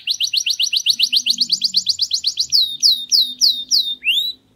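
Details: Canary singing a faultless song to teach chicks: rapid rising chirps repeated in a quick series, followed by slower, loud downward-curving whistles, and a final rising slur; a low hum sits faintly beneath.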